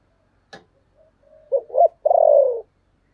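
A spotted dove gives soft, low coos ending in a longer, rolling, purring note.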